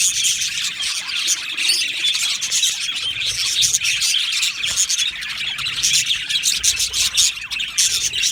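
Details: Budgerigars chattering together in an aviary colony; many overlapping high twittering chirps and short squeaks form a steady, busy chorus with no pauses.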